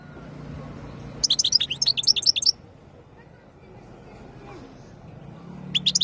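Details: European goldfinch of the khloui type, ready to mate, 2022: a fast, tinkling run of high chirps and twitters lasting about a second, then quiet hum, then another short twittering burst at the end.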